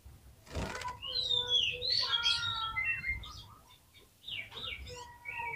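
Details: Oriental magpie-robin lure song meant to prompt others of its kind to sing. A varied, rich warble of whistles and slurred notes is broken by a brief gap, with a faint click near the start.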